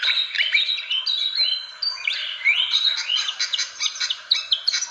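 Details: Fantail call played as a bird lure: a busy jumble of thin whistles, upward-sweeping slurs and quick chirps, ending in a burst of crisp clicking notes.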